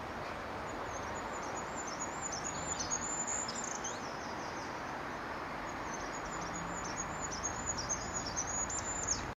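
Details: Singing goldcrest, Staffordshire Wildlife Trust HQ, 9 March 2016. The song gives two bursts of extremely high, fast, repeated thin notes with a brief pause between them, set against steady noisy hiss.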